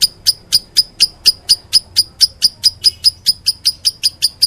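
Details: Lovebird giving a meloloh chirping run: an even train of about eighteen short, shrill chirps, roughly four per second, on a quiet background.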